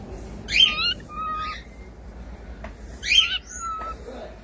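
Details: Cockatiel singing: two bursts of bright, chattering chirps, each followed by a short level whistled note, spaced about two and a half seconds apart over a faint hiss.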